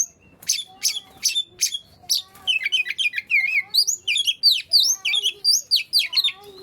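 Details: Oriental magpie-robin song aimed at prompting lazy magpie-robins to sing: opens with several sharp ticking notes, then a fast run of bright whistled, rising and falling phrases.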